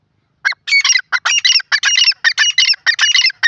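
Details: Grey francolin calling: loud, harsh, rasping notes delivered in quick, closely packed bursts, several each second, continuing steadily for about three seconds against a silent background.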